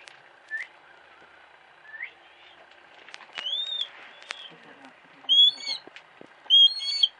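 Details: Female hawk kept in captivity at a home gives two loud, high, wavering whistled cries near the end, after softer chirps and background murmuring of people.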